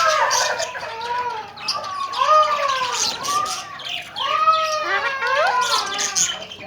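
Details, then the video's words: Tame, talking Alexandrine parakeets in Pakistan chatter in hoarse, speech-like phrases of rising and falling tones, broken by short harsh squawks. "Talking and tame alexander kashmiri raw parrots"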